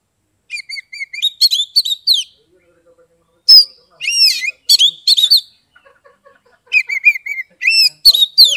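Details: Oriental magpie-robin, known locally as kacer, kept caged in Kebumen, Central Java; its song serves as therapy to spur silent birds: dense rapid whistled phrases with looping slurs and chattering notes in several bursts, soft low background sounds between.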